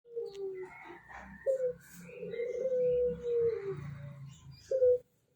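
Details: Barbary (ringneck) dove, Streptopelia risoria, coo song: brief soft, low notes, then one long drawn-out rolling coo, ending with another short coo, over a faint low hum.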